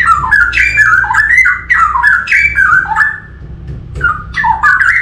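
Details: Forest straw-headed bulbul giving a rich, gurgling whistled warble, phrases stepping up and down in pitch, a quieter gap near the middle before the song resumes, over a low steady hum.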